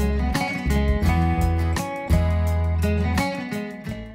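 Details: Strummed acoustic guitar music with a steady plucked rhythm and low bass notes; no animal voice can be picked out.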